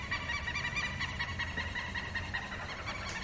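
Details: Alarm call of the Southern lapwing, raised against predators: fainter strings of short nasal notes repeated quickly and irregularly over a steady low-pitched background hum.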